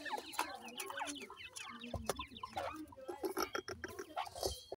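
Grey francolin chicks keep up a busy chorus of thin, high cheeps and soft chittering, with a few low clucks and brief handling noises.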